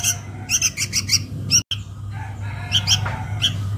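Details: Sooty-headed bulbul chick calling its mother as a lure: scattered thin, scratchy chirps and rasps, a short cut in the middle, then sparse harsh notes with steady low hum.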